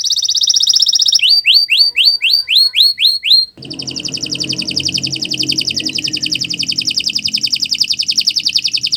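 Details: Canary in long-running song for bird training: a smooth fast trill, then a run of rising-falling whistled notes, then a long, rapid, buzzy trill with some low background rumble.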